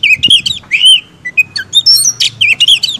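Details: Kept white-rumped shama singing in a lively, agitated style: fast varied phrases of sharp whistles, chirps and slurred notes packed closely together, with a low background hum.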